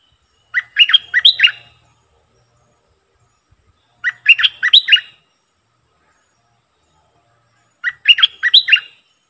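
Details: A decoy Streak-eared bulbul repeats the same bright, gurgling phrase three times, about every three and a half seconds. Each phrase is a rapid run of five or six warbled notes with silence between.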